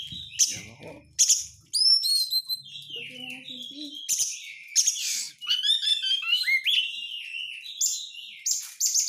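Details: Oriental magpie-robin lure recording with dense 'crecetan' chattering, meant to provoke other magpie-robins into singing; high, scratchy chatters and sliding whistled notes in quick bursts, with brief low voices near the start.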